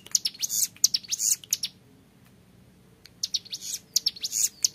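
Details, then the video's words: Young hill prinia singing in the long, clear 'ngebren' style: bursts of sharp, very high chirps and ticks delivered rapidly, a silent pause of over a second, then another high rattling burst. "MASTERAN CIBLEK GUNUNG MUDA GACOR NGEBREN PANJANG SUARA JERNIH"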